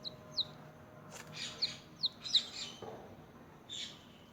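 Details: Small newborn chicken chicks, newly hatched, feeding and playing: sharp high peeps sliding downward, given singly at uneven gaps of about half a second, with soft scratchy shuffling and a few muffled knocks between calls.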